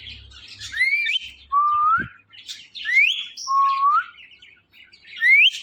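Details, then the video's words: Pet Indian ringneck parakeet, a male praised for his talking, giving clear whistled chirps indoors. About five rising, slurred notes come in short bursts, some sweeping upward sharply and others flatter and lower, with quiet pauses between them. "This Ringneck Parrot Is Really Appreciable Because Of His Best Talking"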